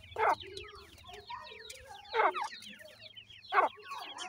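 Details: Grey francolin chicks and parents: soft high descending peeps run in the background while three loud, harsh, broad bursts stand out about every one and a half seconds.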